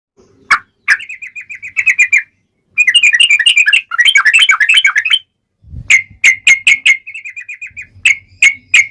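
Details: Sooty-headed bulbul singing vigorously in a long, rapid-fire style, used as a lure to make other bulbuls answer: fast strings of bright whistled notes, bubbling jumbled phrases, then sharp repeated notes after a brief low thump.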